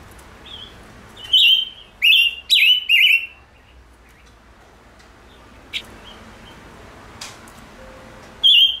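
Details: Gouldian finch in captivity giving four loud buzzy, warbling high notes close together, then quieter clicks and thin whistles before another buzzy note at the end.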